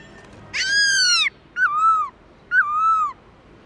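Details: Wild-style song of a black-throated laughingthrush, used to spur pet birds into singing: three loud, rich whistled notes, each sliding downward, the first long and full, spaced about a second apart.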